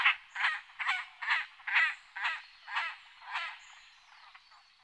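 Great crested grebe giving a run of about nine harsh, rasping croaks, roughly two per second, fading toward the end; nothing else stands out.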